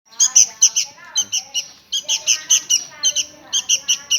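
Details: Hungry sooty-headed bulbul nestling begging: loud, high, harsh chirps repeated rapidly in short runs of three to five, about four per second, with brief pauses between runs.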